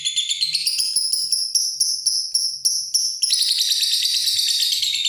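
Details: Ngekek chatter from a lovebird: bright, ringing high notes in quick, uneven groups, then a denser, continuous rapid trill in the final seconds.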